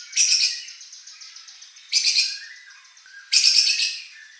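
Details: Competition white-rumped shama provocation song: three loud, harsh buzzy bursts spaced about a second and a half apart, each fading into faint lower whistles.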